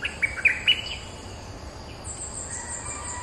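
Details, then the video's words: Streak-eared bulbul territory holder replying to lure calls: three quick, bright chirped notes, then quiet with a thin, high insect-like tone continuing. "เสียงต่อนกดอกแตงEp.229 จ้าวถิ่นเถียงทุกคำ!! suara pikat merbah lekir gacor"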